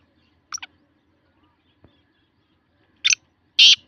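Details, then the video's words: Black francolin in Sindh, Pakistan: a short harsh double note, a pause, then two loud rasping grating bursts close together near the end, over a quiet background. "Kala Teeter sindh Pakistan"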